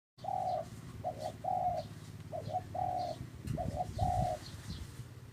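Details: Dove calling in a repeated phrase: a short double note followed by a longer, level coo, the pattern looping about every second and a half, over low rumbling background noise and faint high chirps of other birds.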